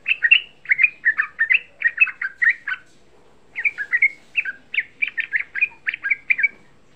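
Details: Young yellow-vented bulbul singing a lure song meant to rouse other bulbuls into singing: rapid bursts of short, bubbly, slurred whistled notes, a pause near three seconds, then another chattering run, all on a clean, quiet background.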